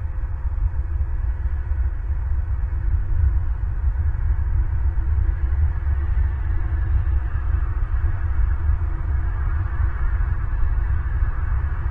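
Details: Steady low rumble and hum, like wind buffeting a microphone, with no animal calls heard.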